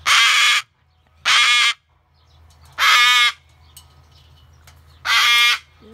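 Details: An angry rescued umbrella cockatoo, upset by loud construction machinery across the street, gives four loud, harsh, grating screams, each about half a second long and roughly 1.5 seconds apart, over a faint low hum.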